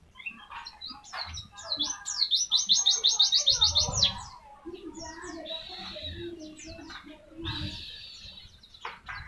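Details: Pleci (white-eye) tembakan song used for tutoring: scattered high chirps lead into a quick burst of rapid, ringing chips, then more broken twittering, with faint human voices in the background.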